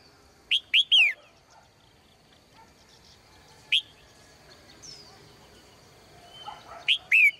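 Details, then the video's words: Caged female bird singing in the morning: loud bursts of three quick whistled notes sweeping between roughly mid and high pitch, repeated after pauses of several seconds, with faint chirps and a steady background hum between phrases. "นกตัวเมียร้องเจื้อยแจ้วในยามเช้า , เสียงนกร้องในกรง"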